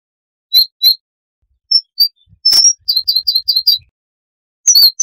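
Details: Siberian rubythroat song, a small insect-eating songbird, noise-reduced tutor recording: scattered high chirps and short whistled notes, a quick run of five clipped notes, then a final slurred pair, with clean silent gaps.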